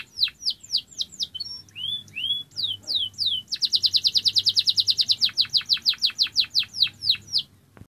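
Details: Singing canary giving a string of separate bright downslurred notes and short whistles. A long rapid trill of repeated sweeping notes follows, loosening in pace before it ends abruptly.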